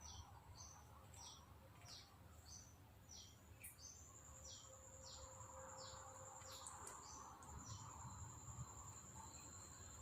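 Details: Newly bought caged red-breasted blue-crowned hanging parrot kept as a decoy bird, placed in front of the main decoy: sharp high descending notes repeated about twice a second, over a steady high insect-like whine and low background rumble.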